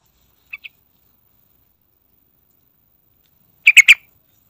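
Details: Sooty-headed bulbul played to lure other birds into singing: two soft short notes, a long pause, then three loud rapid chirpy notes.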